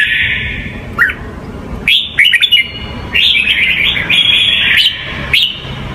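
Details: Red-whiskered bulbul singing the Hue style, meant to train young birds: a long held whistle, a dipping chirp, a quick run of rising notes, then extended warbled whistled phrases ending in a short upward note, with low hum beneath.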